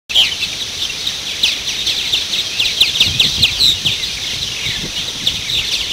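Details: Purple martins at the Maurice River chatter in a dense stream of rich, gurgling chirps and squeaky notes from several birds at once, with a low rumble of wind beneath.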